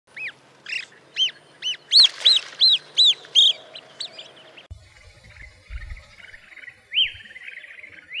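Green pygmy goose giving a rapid series of high, arched whistled notes, about three per second, then fainter whistles after a break.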